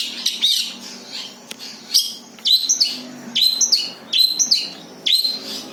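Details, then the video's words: Long-tailed shrike giving its plain natural song, with no imitated birds, suited for luring other birds: sharp high chirps with bent, downward-curving notes in phrases spaced under a second apart. "SUARA ASLI BURUNG CENDET TANPA ISIAN COCOK UNTUK PANCINGAN"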